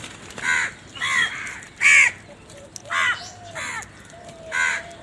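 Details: Crow calling with six loud, hoarse caws spaced about a second apart, each a short harsh burst against a quiet background.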